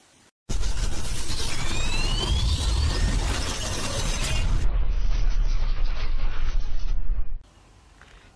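Loud rumbling and scraping handling noise, like something rubbing against a microphone, with no animal voice.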